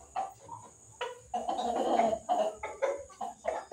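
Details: White Leghorn chickens fighting: a series of harsh, irregular clucks and squawky bursts, several close together in the middle, over a steady high background hiss.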